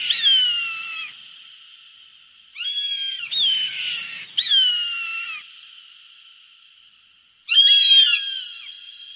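A hawk gives four harsh, high screams about a second long each, with a ringing, slightly falling tone and long pauses between.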